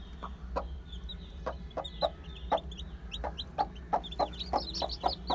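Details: A brood of one-day-old chicks, listed as Aseel, Heera, Java and Muska, keeps up a busy chorus of thin, high descending cheeps. Sharp clicks or taps sound about every third of a second under a low background drone.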